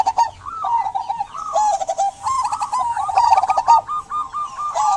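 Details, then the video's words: Local zebra dove in vigorous song, used to coax silent doves: continuous rapid looping coos with small rises and dips in pitch, accompanied by clustered high chirps from other birds. "Perkutut lokal gacor buat pancingan perkutut pendiam agar bunyi"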